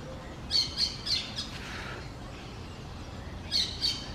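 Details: Green parakeet, an outcast bird trying to communicate with a flock, outdoors in a rural setting: sharp, high chirps in a quick cluster of several notes early on, a pause, then a pair of similar chirps near the end.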